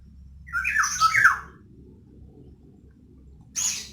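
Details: Female black-naped oriole used as a lure for males that are slow to sing, giving a squawky, nasal call that slurs downward, then a short harsh burst at the end over a low background hum.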